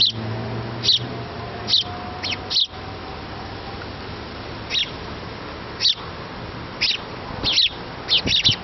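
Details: House sparrow chick begging its parents for food while being fed: short, high, sharp chirps repeated irregularly, about eleven over nine seconds, some in quick pairs, over a low steady background hum.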